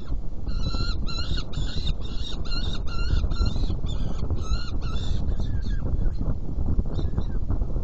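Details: Saker falcon nest box at feeding time, 10:31 on 17 June 2018: a dense burst of harsh, ringing calls for about five seconds, then a few scattered, quieter ones, all over constant low-pitched rumble.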